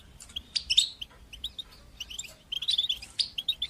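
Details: Soft European goldfinch song, bitbita and sitsita style, used to teach young goldfinches. Scattered liquid chirps and short buzzy notes build into a quicker twittering run toward the end.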